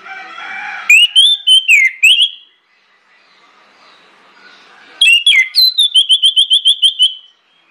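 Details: ['Lure song of an orange-headed thrush meant to trigger others: a loud phrase of slurred whistles, a quiet pause, then a second phrase ending in about nine quick, evenly repeated notes.']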